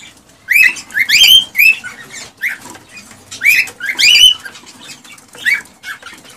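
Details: Male cockatiel singing excitedly to encourage a female to mate: irregular groups of rising whistled chirps and harsh chatter, about twenty phrases a minute.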